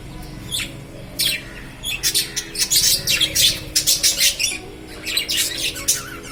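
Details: Lovebirds producing harsh, rapid bursts of high, scratchy chirps in clustered volleys, with short quieter gaps between flurries and a faint low background hum.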